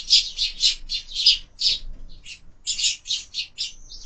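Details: Sparrows fighting in a window-mounted feeder: loud, harsh, high chirps in quick pulses, about three per second, with a short lull midway before the squabble resumes.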